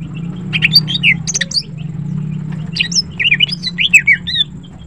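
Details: Greater green leafbird, a female of the gacor type, singing melodiously in the morning: bright, varied whistled phrases with sliding and twisting notes in two bursts, over a constant low background hum.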